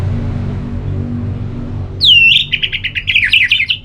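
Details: Orange-headed thrush song for prompting another bird to sing: after quiet background hum, a bright downslurred whistle runs straight into a long, rapid series of rolling, chattering notes.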